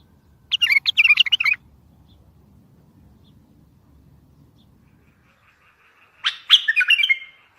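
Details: Bulbul song used to make other bulbuls answer, for trapping: a burst of warbled, quavering notes, a quiet pause with faint low rumble, then a second chattering, bubbly phrase.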